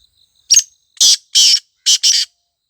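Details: Black francolin, known locally as kala tetar, calling in forest: a short sharp note followed by four harsh, grating bursts in quick succession, the last two paired closely, over a quiet background.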